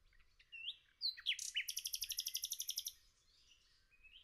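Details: A nightingale sings in forest: a few sharp upslurred whistles, then a fast, pulsing trill of roughly fifteen loud repeated notes over under two seconds, followed by quiet.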